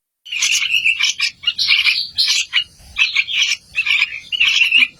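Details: Raspy, wheezy calls from baby yellow-vented bulbuls in a continuous chattering series of harsh bursts, some ending in a thin squeaky tone.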